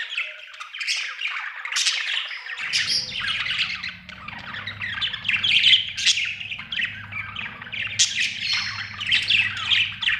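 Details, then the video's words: Several budgerigars chirping together in a steady, dense chatter of high squeaks and warbles, with a low mechanical hum starting a few seconds in. "Australian beautiful birds sound 😍 budgie chirping sound 😍"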